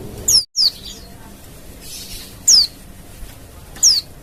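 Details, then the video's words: Wild Oriental white-eye sounding to draw replies from other white-eyes: four short, piercing, high downslurred notes at irregular gaps, with one brief dropout near the start and faint background murmur. "TERAPI PLECI LIAR‼️LANGSUNG NYAUT"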